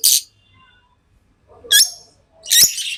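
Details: Pet lovebird giving three loud, harsh, high chirps spaced about a second apart, with faint softer sounds between.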